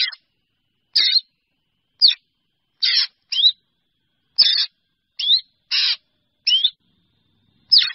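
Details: Black drongo calling to its flock: short high notes every second or so, some with rising and falling whistled sweeps, others harsh and buzzy. The notes come in an uneven rhythm against a silent background.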